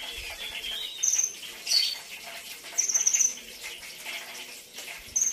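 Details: Premium training song of a brown-throated sunbird: brief, piercing high trills spaced about a second or two apart, each a quick run of fine ticking notes.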